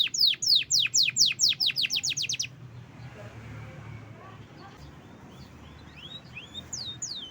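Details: Caged canary singing energetically: a burst of loud, steeply falling whistled notes repeated quickly for two seconds, then near quiet with a few faint slurred notes and soft background voices.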